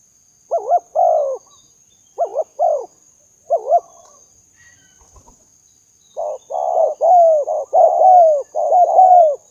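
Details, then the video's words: Spotted dove call for luring: three short two-note-and-coo phrases, a brief pause with a faint click, then a faster run of longer overlapping coos that follow each other closely. Faint steady hiss throughout. "memikat burung tekukur"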